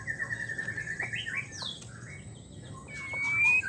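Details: Female white-rumped shama in heat calling for a male: a drawn-out whistled note that wavers and steps upward, scattered softer chips, then a clean rising whistle at the end over faint background hiss.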